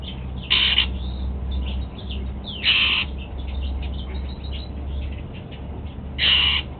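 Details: A pet golden-fronted leafbird eating apple at breakfast gives three loud, harsh, scratchy calls spaced two to three seconds apart, with softer chattering notes between and a steady low hum beneath.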